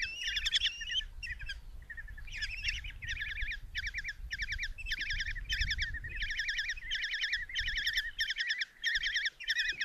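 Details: Common kestrel nestlings in a Tiszalök, Hungary nest box, fed a mouse by their mother on June 27, 2024; a steady series of short rapid trilled bursts about every half second, fairly regular, with low rumble beneath.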